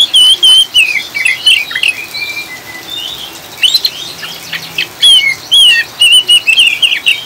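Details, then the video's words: Oriental magpie-robin in ngriwik chattering style, mixed with rain sounds as a lure to calm and stabilise birds; bright whistled and twisting notes in rapid bursts, pausing mid-clip then resuming, over a steady hiss of rain. "Kacer ngriwik ngeplong‼️Pancingan suara air hujan dan kacer ngriwik ampuh untuk stabilkan burung"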